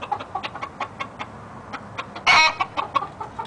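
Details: Young male red junglefowl stag of the YellowLyon strain, bred in captivity in India: a run of sharp broadband pulses, then one brief loud harmonic crow burst, followed by a few more pulses.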